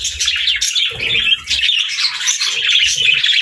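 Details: Budgerigars and lovebirds together, with budgies chirping: busy high twittering runs and squeaky notes over low thumps and rustling.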